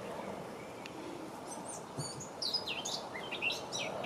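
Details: Eurasian blackcap song from May 2018, somewhat distant: after a hushed start, a string of high, quick twittering notes and clear whistles, against steady low background rumble.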